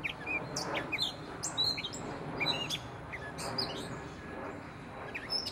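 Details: Gray catbird singing from a tree in Prospect Park, Brooklyn, a loose series of short squeaky and scratchy high notes spaced by brief pauses over a fairly loud low urban rumble.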